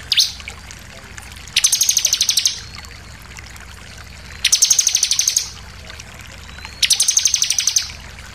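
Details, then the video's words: Lure song of a Bar-winged prinia, meant to provoke other birds to sing: three bursts of about a dozen rapid, high, even ticking notes, each burst about one second long, with quiet gaps between. "pancingan ciblek bahan langsung emosi nembak"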